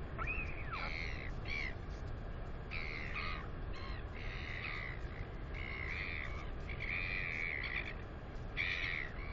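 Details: A 218-day-old northern royal albatross chick flapping its wings near the nest lets out repeated bright squeals, some rising and arching, others flat and buzzy, in an irregular series over constant wind noise, 9 April 2020.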